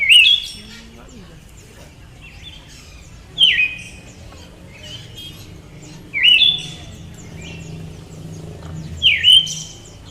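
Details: A female Siberian thrush repeats a loud slurred call four times, about every three seconds. Each call drops steeply and then flicks upward. A faint low hum sounds in the gaps.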